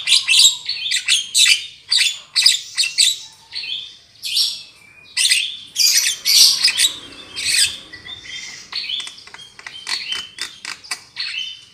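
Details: Javan myna trapping lure: a long sequence of rough, chattering squawks in quick irregular bursts, mixed with short whistled and wheezy notes, continuous and shrill throughout.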